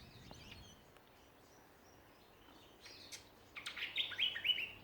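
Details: Backyard songbirds in Ballajura, Western Australia, Australia: faint scattered chirps, then in the final second and a half a rapid run of bright, high chirped notes, about four a second.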